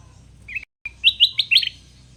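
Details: Sooty-headed bulbul, a wild-caught bird now kept and tamed, singing actively and loudly almost every minute: a short rich note, a pause, then four quick bright whistled notes in a rising, slurred phrase, with a faint low hum behind.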